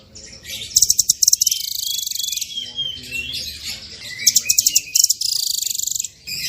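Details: Blue nuthatch (Sitta azurea): two bouts of fast, high, rattling trills, each starting with strong clipped notes that trail into a steady rapid series lasting about a second, over a faint low background.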